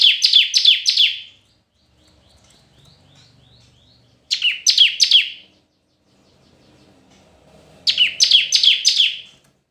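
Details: Red-whiskered bulbul singing competitively, three bursts of four to six rapid, bright, slurred chirps about every four seconds, each phrase loud and high, with soft faint rustling and low murmurs between the bursts.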